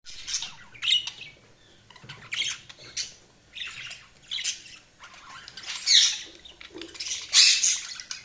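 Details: Budgerigars chirping in short bursts of harsh, scratchy squawks and chatter, loud notes separated by brief pauses, with a faint low hum underneath.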